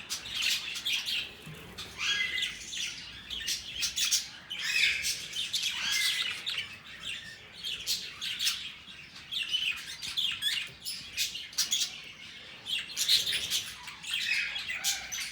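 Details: Budgerigars in a spacious open aviary, playing and flying together, chatter in a busy, continuous warble of high chirps and squeaky notes.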